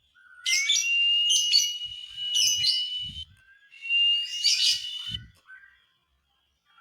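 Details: Lovebird singing to provoke others: two long chattering passages laid over a steady, sustained whistled tone, with quiet gaps between.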